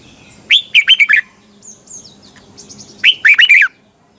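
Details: Red-whiskered bulbul morning song for training caged birds, in the double tightly twisting voice: two lively phrases of rolling, up-and-down whistled notes, the second after a gap of about two seconds filled by faint high twitters.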